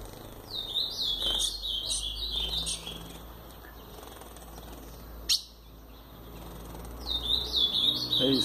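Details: Male ultramarine grosbeak (Cyanoloxia brissonii), brown-plumaged, courting: quick, bright warbled phrases of sweet chirps for about two seconds, a pause and a single click, then song resumes; he had just mated with the female.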